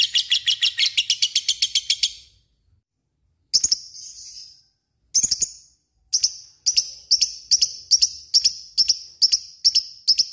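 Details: Fighter lovebird in a long trill: a rapid series of high shrill chirps for two seconds, then after a pause a slower run of sharp paired high notes, repeated about twice a second.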